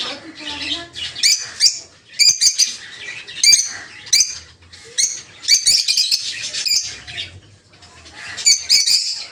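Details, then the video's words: Rosy-faced (peach-faced) lovebirds of several colour mutations in a breeding aviary in the morning give shrill, high chirps and squeaky chatter in bursts about once a second, with faint wing flutters and rustling. "Peach-Faced Lovebird's Sounds"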